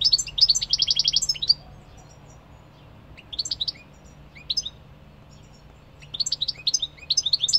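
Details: European goldfinch singing in separate bouts: an opening fast buzzy trill, then short twittering phrases and a final lively jumble of high chirps, over a faint low hum.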